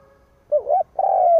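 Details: Spotted dove decoy bird calling to provoke rivals: a wavering mellow coo followed after a short break by a long, steady, slightly falling coo.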